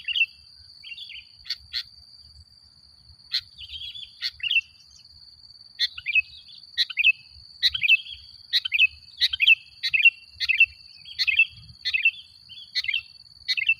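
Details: Lively sooty-headed bulbul song used as a lure: short bubbly chirping phrases, sparse at first, then repeated quickly about every half second for several seconds, over a thin steady high whine.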